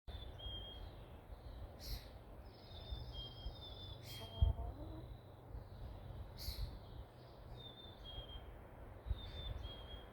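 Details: Birds singing after rain has stopped for a while: several thin, high whistled phrases and trills over a steady low rumble, with a few sharp chirps and a brief clatter near the middle.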